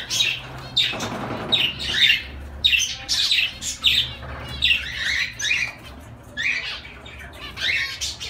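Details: Zebra finches uttering nasal, toy-trumpet-like beeps roughly once a second in an irregular sequence, several birds overlapping.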